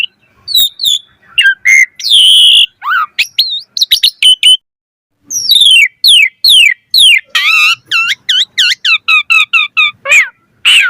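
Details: Lure song of an Asian pied starling, vigorous and packed with fill-in variations: mixed whistles and clicks, a brief gap, then a fast, steady series of repeated downslurred chirps and warbled notes.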